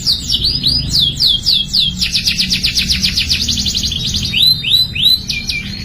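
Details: Canary singing used to prompt young canaries: a string of bright downward-curving whistles, a quick rattling trill, then more swooping whistled notes, lively and high-pitched above a faint low hum.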